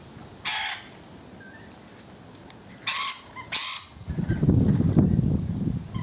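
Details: Rainbow lorikeets on a balcony give three short, harsh, broadband screeches spaced over about three seconds, followed by low rumbling background noise.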